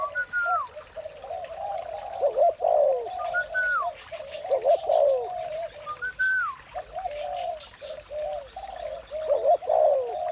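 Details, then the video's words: Repeated clusters of deep overlapping coos from spotted doves in the morning, punctuated by brief falling whistles every few seconds and short quiet gaps. "Một buổi sáng tràn ngập niềm vui từ tiếng chim cu gáy"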